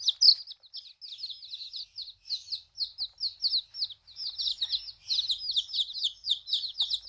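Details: Freshly arrived baby chicks in a backyard setting: steady stream of shrill, high peeps from several birds, evenly paced, with faint rustling below.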